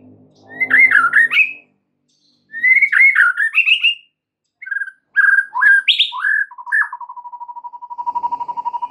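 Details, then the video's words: Singing White-rumped shama, played to lure other shamas into song and extra repertoire: two matching warbled whistle phrases, a series of varied clear notes, then a long steady low trill of rapid pulses. "PANCINGAN Murai batu untuk MEMIKAT murai lain AGAR GACOR dan TAMBAH ISIAN"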